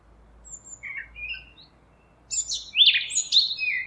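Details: Eurasian blackcap song: a few quiet, thin notes followed after a pause by a sudden burst of loud, rich warbling phrases.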